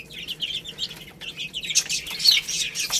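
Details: Baby chickens eating rice and playing: a cluster of high, thin peeps in the first second, then a denser burst of chirps with sharp clicks toward the end.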